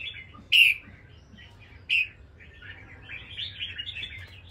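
Red-whiskered bulbul gives two loud, bright whistled notes about a second apart, followed by a run of softer, rambling high chatter.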